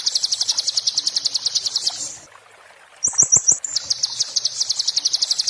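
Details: Oriental white-eye giving 'muntah beling' song, tutor material for magpie-robins and shamas: a two-second string of fast, sharp, high notes, a short silence, four clipped notes, then the rapid glassy trill resumes.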